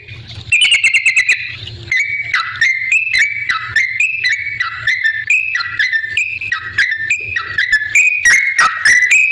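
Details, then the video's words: Lively yellow-vented bulbul song played as a lure to prompt other bulbuls to reply; a quick rattle opens, then a steady run of short whistled notes stepping up and down, with sharp clicks between them. "suara trucukan gacor ampuh bikin nyaut pancingan trucukan agar bunyi"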